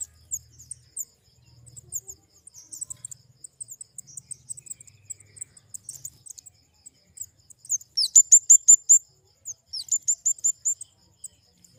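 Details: Flowerpecker (kemade) starting with faint soft high ticks, then bursting into two loud, rapid trills of piercing high notes near the end.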